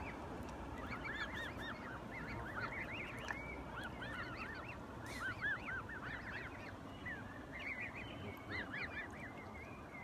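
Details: Canada geese accompanied by goslings; many thin, high, arched peeping calls overlap continuously, rising and falling quickly, with a steady low rumble of background noise throughout.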